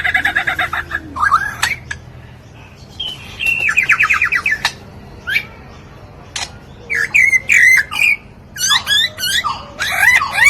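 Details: Lyrebird mimicking sounds, including the human voice: a rapid, varied run of squawks, harsh buzzy bursts, sharp clicks and rising whistled notes in uneven bursts, with laughter.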